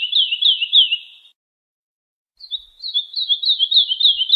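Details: Young birds are taught with this lark song: a rapid chirping phrase trailing off, a pause of about a second, then a fresh series of bright, bouncing high notes delivered several per second.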